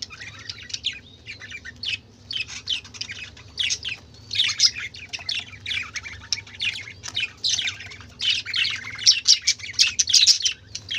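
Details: Budgerigars, a group of colourful birds, chatter noisily throughout: dense bursts of scratchy chirps and warbles overlap continuously, rising in intensity toward the end, with a low steady hum underneath.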